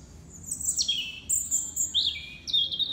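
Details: Winter song of a European robin at sunset, Kew Gardens greenhouse: rapid, high, sweet warbled notes with sharp downward slides and sustained thin whistles, continuous over three seconds against quiet low rumble.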